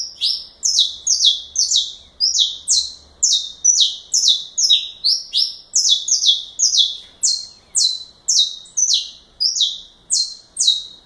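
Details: Long burst of saffron finch galador song, dense runs of bright downward-swept notes repeated about twice each second, strong and unbroken for over ten seconds.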